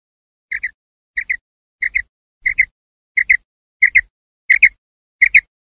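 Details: Common quail (Coturnix coturnix), call.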